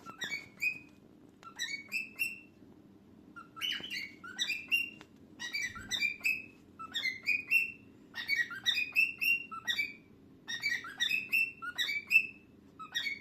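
A cockatiel sings bright, chirpy whistled phrases in quick repeated bursts.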